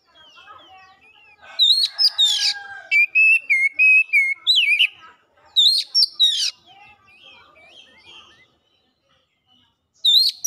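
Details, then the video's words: Oriental magpie-robin (kacer) in fast, lively lure song aimed at drawing out mimicked phrases. After quiet twittering, a run of rapid warbled notes and chips begins. Two bursts of high twisting whistles follow, then softer background twitter. "PANCINGAN KACER CEPAT GACOR LANGSUNG BONGKAR ISIAN"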